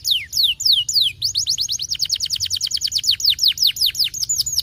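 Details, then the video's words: Canary singing to encourage lazy canaries: several long down-slurred whistles, then a rapid run of sharp repeated notes, slowing into varied rising and falling whistled phrases. "muito eficaz para estimular o som de canários preguiçosos"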